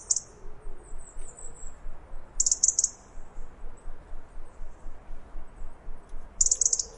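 A robin gives very high, thin alarm notes in short clustered bursts over a low background rumble.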